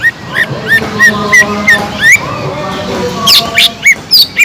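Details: Sumatran leafbird singing to stir another caged bird's aggression: a busy stream of short whistled and slurred notes, some rising, some falling, with a few harsher chips near the end and faint background hum.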